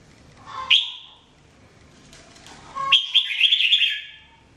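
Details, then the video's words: Jambul, the red-whiskered bulbul, singing during training: a single sharp falling whistle over a soft low note, a quiet gap, then a bright trilling warbled phrase. "Training Jambul bird singing everyday 2017"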